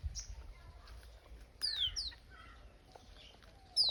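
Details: Peaceful summer morning in a village after the wheat harvest, with birds chirping: quiet high descending whistles and short chirps, grouped mid-way and again at the end, over faint low background noise.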